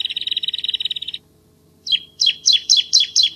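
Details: Bar-winged prinia 'masteran' song opening with a quick, high trill, then after a pause a series of loud, sharp, downward-sweeping chirps repeated about twice a second, part of its clear 'tembakan' delivery.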